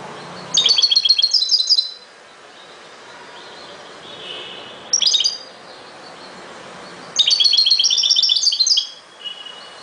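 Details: European goldfinch, ghoroub style of song: two long bursts of rapid, liquid tinkling notes, with a short sharp phrase between them and quiet pauses separating each outburst.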